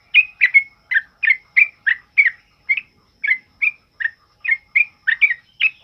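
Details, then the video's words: Loud ropel-style song of a sooty-headed bulbul, kept as a training song for other birds: crisp, slurred whistled notes given in a quick steady stream, about three per second, on a quiet background. "Suara TRUCUKAN ROPEL UPLIK Lantang Keras Buat Masteran"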